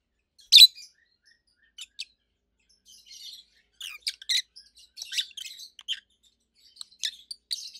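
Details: Loud, high, treble chirping from two adult peach-faced lovebirds, red-head green opaline and white-head pallid aqua opaline: one sharp opening note, then scattered clipped chirps building into rapid clusters toward the end.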